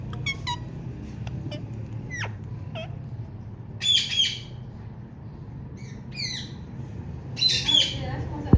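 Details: Loud chirping from a female Indian ringneck parakeet: quick sharp whistled notes early on, then several harsh, raspy squawk bursts at irregular intervals, over a low steady hum.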